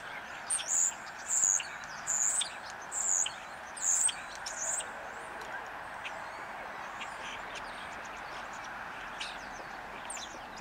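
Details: Common starling perched on a power line singing: five high, squeaky whistled notes spaced about a second apart, then softer scattered chatter, over a steady hum of background noise.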